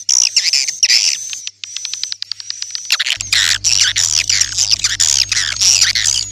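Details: Swiftlets calling: dense bursts of harsh, buzzy twittering chirps packed closely together, preceded by a short run of rapid clicking ticks, with a thin steady high whine throughout and a low hum in the second half.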